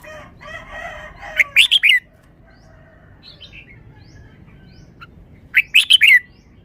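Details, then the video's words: Caged red-whiskered bulbul performing wild-style song: a ringing phrase of four quick, rising-then-falling whistles, repeated about four seconds later, with soft chirps between and faint crowing at the start. "นกกรงหัวจุก 1033 จ้าวมาดี สำนวนดี"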